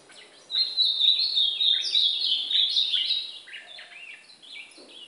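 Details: Brown ultramarine grosbeak singing in a training recording that also covers the white-throated seedeater. After a quiet start comes a loud, rapid, rich warble of tumbling notes that fades into softer stepped phrases.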